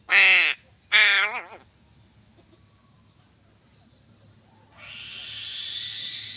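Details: Two harsh, grating crow caws in quick succession, about a second apart, followed by quiet and then a rising steady hiss.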